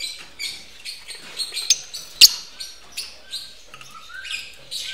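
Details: A mating pair of lovebirds in a breeding facility produce sharp, grating chirps repeated roughly every half second, with one loud click midway and soft whistles late on.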